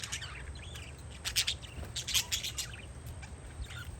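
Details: Parakeets chirping outdoors on a windy day: short, sharp, high chirps come in clustered bursts, with a brief squeaky call near the end, over a steady low wind rumble.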